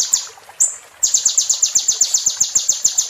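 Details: High-pitched sunbird song, kept for training caged birds: a couple of thin chips and a brief buzzy note, then a quick, regular string of piercing downslurred ticks.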